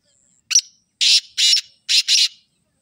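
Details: Loud black francolin call: a short sharp note, then two rasping notes, a pause, and a final pair of gritty buzzing notes, all dry and harsh.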